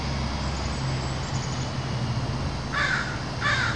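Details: City crows gathering daily to feed: two harsh caws near the end, each under half a second, over a steady low rumble of urban background hum.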